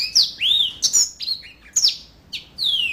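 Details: Yellow-fronted canary giving a few loud, high whistled phrases: rising and falling slurs, a brief twitter, then a long sweet downward whistle.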